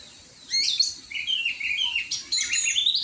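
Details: Oriental magpie-robin singing in a training session: bright whistled notes and quick chirps after a quiet start, ending in a rising buzzy flourish.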